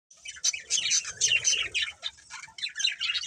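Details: Breeding pair of budgerigars giving dense, scratchy chirps and warbles, rapid overlapping bursts with brief pauses throughout.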